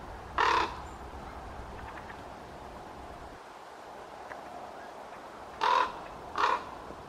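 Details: Common raven calling on a hot day, 12 August 2023: three short, harsh, hoarse croaks, one near the start and two close together near the end, separated by a long quiet stretch with faint background hiss.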